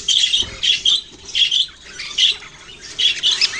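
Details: Budgerigars chirping on November 6, 2023: distinct bursts of high, bright twittering notes, grouped into short phrases about every half second to second, separated by quieter gaps of soft background chatter.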